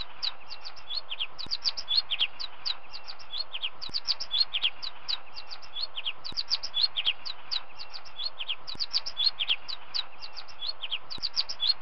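Finches twitter in a steady run of short, high chirps, several to a second and overlapping as if from more than one bird, with a few faint low thumps.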